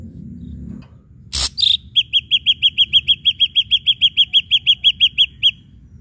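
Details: Ashy drongo lure song aimed at making other birds sing: one harsh burst and a short whistle, then a steady, evenly spaced series of about twenty sharp piping notes, roughly three per second.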